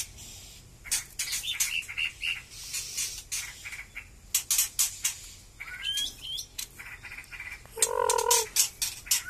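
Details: White-rumped shama of the Batu Kurau stock, its song just starting to become lively again after moulting: scattered sharp chirps and clicks, a few brief whistled slurs, and a richer burst of notes near the end.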